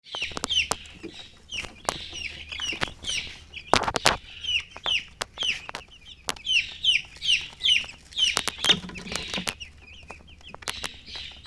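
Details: Baby chicks peeping in a busy chorus, high thin chirps with downward sweeps overlapping rapidly, a few sharp clicks and knocks among them, faint low hum underneath.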